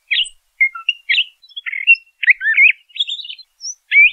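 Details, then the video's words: Short burst of LeConte's thrasher song, a few sharp chirps followed by buzzy and wavering whistled phrases, closing on a rising slur. "LeConte's Thrasher Bird Song, Call, Chirp, Voice - Cuitlacoche Pálido Canto"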